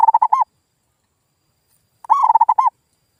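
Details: Lure call of a zebra dove, played to make reluctant local doves answer: two crisp phrases of quick staccato coos closing on a drawn-out rounded note, with no other sounds.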